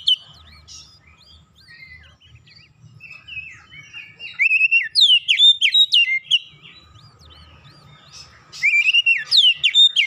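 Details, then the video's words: Oriental magpie-robin song as a lure for other songbirds: quiet varied twitters at first, then fast runs of loud, sharp, swooping whistles repeated in two bursts. "PANCINGAN KACER langsung latah ikutan gacor"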